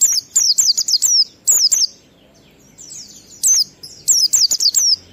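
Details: Ngalas song of an Oriental white-eye, played to coax kept birds into singing: rapid clusters of piercing, downslurred high chirps, one burst of six notes, then a short pause, then another string of sharp tweets.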